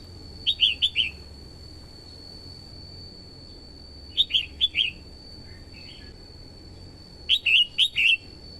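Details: Female red-whiskered bulbul singing to excite a male and draw in wild birds: the same bright four-note warbled phrase repeated three times about every three seconds, with a faint extra twitter between and a steady high whine.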